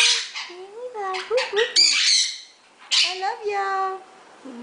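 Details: A rescued pet Quaker parrot (monk parakeet) gives harsh, buzzy squawks in short bursts mixed with warbling, voice-like chatter, pausing briefly between bouts.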